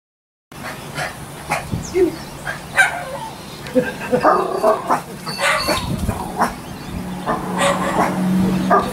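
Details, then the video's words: Pet cockatoo at home, recorded January 30, 2013, imitating the barking of a family dog: short, harsh bark-like bursts repeated irregularly over several seconds, with a steady low hum in the background. "Barking Cockatoo Woof! Woof!"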